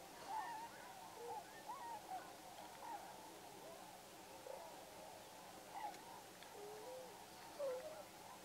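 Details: A few tundra swans at Pocosin Lakes National Wildlife Refuge in northeastern North Carolina in November 2017. Many soft, overlapping hooting and whooping calls from the flock rise and fall continuously, with a steady hiss behind them.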